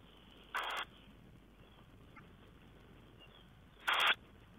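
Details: Tawny owl recorded on 4 June 2010: two short, harsh, hissing bursts about three seconds apart, each lasting roughly a quarter second, over a quiet steady background hiss.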